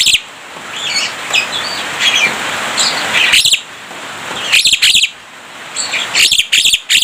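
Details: Javan myna in full song, known for imitating human voices and coughs. Scratchy high chattering notes come in groups, separated by several loud harsh rasping bursts.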